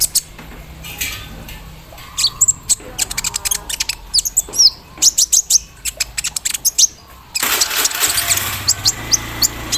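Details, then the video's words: Javan sunbird sung out in the morning dew, mimicking an embroidery machine: quick volleys of sharp high chips and ticks, rhythmic in places, then a sudden loud hiss of broadband noise behind the calls near the end. "KOLIBRI NINJA GACOR KELUAR ISIAN MESIN BORDIR SAAT DI EMBUNKAN PAGI HARI"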